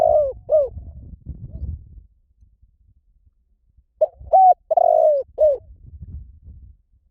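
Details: Spotted dove cooing: a phrase of four mellow, hollow coos with a long drawn middle note at the start, then a low rumbling background, and a second matching four-note phrase about four seconds later.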